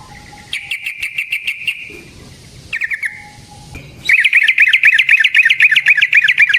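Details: Yellow-vented bulbul in aggressive rolling song used as a lure to make other bulbuls respond. Short trills and a brief phrase lead into a loud, continuous, rapid stream of bubbling warbled notes.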